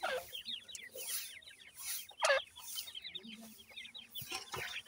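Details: New-season grey partridge chicks being cared for by the adults, calling in quick strings of high descending peeps, with one louder emphatic burst near the middle and a faint low hum.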